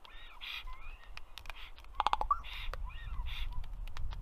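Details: Common raven visiting a black stork nest in Karula National Park, southern Estonia, on a May afternoon: a quick run of loud knocking clicks among hoarse croaks and gurgles, with a low rumble of wind behind.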